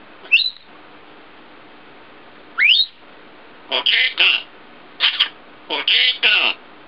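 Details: Pet African grey parrot, a female aged one and a half years, mimicking words: two rising whistled notes, then a run of short harmonic speech-like syllables, paired and repeated about every second.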